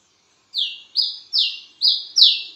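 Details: Wiceh bird calling vigorously at midnight: five loud, high downslurred whistles, each sliding from a sharp peak into a shorter trailing tone, given about every half second after a brief silence.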